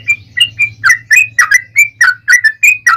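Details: Yellow-vented bulbul fighting song serving as a lure to make bulbuls reply; about four short, liquid slurred whistles per second, some doubled, over a soft background hum.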